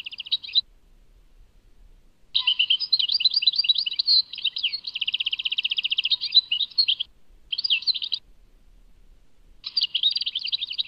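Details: Tadmait-style song of a European goldfinch: bursts of rapid, liquid twittering and buzzy trills separated by short pauses, with a longer central phrase containing a fast repeated rattle; no other sounds.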